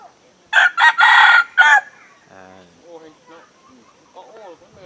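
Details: Red junglefowl decoy bird in Sông Mã, Sơn La, Vietnam, recorded in 2019 while luring wild birds: loud, harsh, segmented crowing, then scattered lower clucks and short murmured calls.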